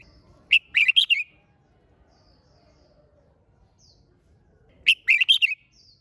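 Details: Red-whiskered bulbul in hót đấu competition song: two rapid, sharp warbled phrases about four and a half seconds apart, with brief faint high chirps in between.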